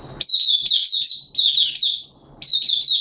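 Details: Oriental white-eye (mata puteh) from Malaysia, a hobby bird in happy open song display, February 2023: three high, sweet, wavering phrases of rapid linked notes, separated by brief silences.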